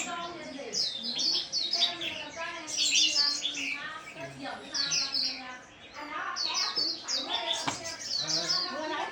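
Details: Chestnut-flanked white-eye singing in the 'líu' style: rapid, high, twittering and warbling phrases in dense bursts with short pauses between them. A human voice murmurs faintly underneath.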